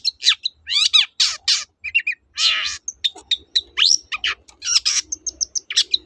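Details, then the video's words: Long-tailed shrike singing in a varied, mimicking style to stir silent shrikes: harsh rasping bursts, downslurred sweeps and lower chattering notes mixed with thin, high pure whistles and quick chips. "BURUNG CENDET GACOR TOET-TOET"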